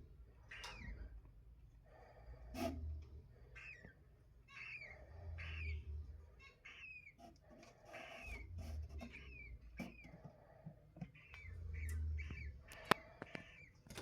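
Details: Cockatiels, including albino birds and chicks, give short, chirpy whistled notes, repeated in loose bursts over a low rumbling background.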